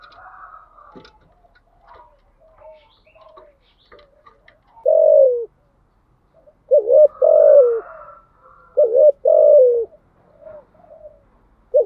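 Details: Spotted dove with thúc gù cooing. After faint background chirps, several paired coos follow: each is a short note and then a longer falling one, repeated three times with short pauses.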